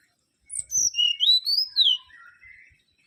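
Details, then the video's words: Mangrove whistler (Pachycephala grisola) singing a flowing whistled phrase: notes slide down from very high, then climb in a smooth rising glide, ending with softer, lower drawn-out whistles. "Kancilan Bakau Gacor"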